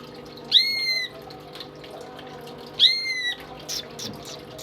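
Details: Pet greater green leafbird, tame and in strong voice, used to tutor other birds: two long drawn-out whistled notes with rich overtones, each about half a second, separated by soft background noise.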